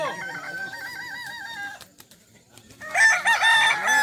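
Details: Kukuak balenggek rooster at a crowing contest at Sirukam dairy farm, Solok regency, giving a long crow broken into a row of short stepped notes, then a near-silent gap before a dense burst of many roosters crowing together.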